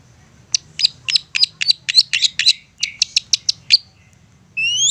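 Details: Long-tailed shrike in a persistent provoking song intended to draw replies from other shrikes: a quick string of sharp, high, clipped chips, some doubled, ending with a rising whistled sweep and soft low hum.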